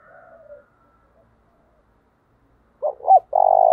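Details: Decoy spotted dove for training doves: a faint coo at first, a long quiet gap, then two sharp short notes leading into a loud, steady, pulsing coo.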